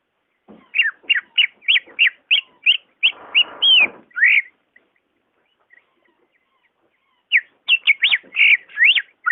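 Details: Greater green leafbird song meant to spur reluctant leafbirds to sing: a fast burst of sharp whistled notes with a brief rustling sound, a pause of about three seconds, then another quick run of looping whistles.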